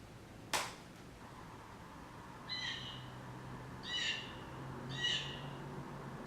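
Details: A Blue Jay in a backyard gives three harsh, squawking screams spaced about a second apart, after a single sharp click, over a low steady hum; the call establishes its territory to other birds.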